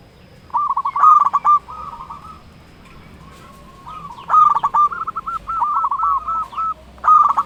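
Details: Local zebra dove calling out rivals with rapid, rolling cooing trills in three bouts, the middle phrase longest with evenly spaced notes, over faint background noise.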